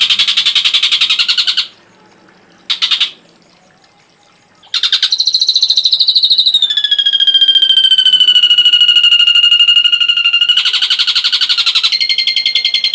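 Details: Ashy drongo song used as tutor material: broad, harsh rattling bursts with silent gaps, then a long, rapid, high trill falling slowly in pitch. It ends in another harsh rattling passage.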